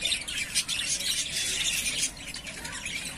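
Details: Breeding-ready yellowface spangle budgerigars, three pairs, pour out a thick stream of high squeaky chirps and scratchy warbles, loudest in the first two seconds.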